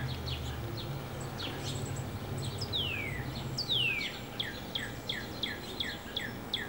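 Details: Male and female goldfinches at a feeder give a busy run of short, high chirps and twitters. Two longer, clear notes slide steeply downward in the middle. A steady low hum runs underneath.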